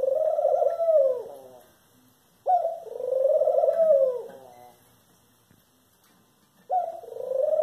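Eurasian collared dove giving soft, low, hollow coos, each drawn out over a second or more and repeated every few seconds, with little else audible.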